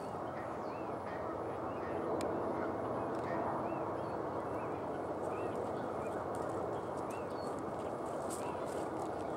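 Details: Osprey calling at Barr Lake, Brighton, Colorado: thin whistled chirps with an up-and-down arch, spaced irregularly every second or so, partly buried under constant broadband rushing noise, with a sharp click near the start.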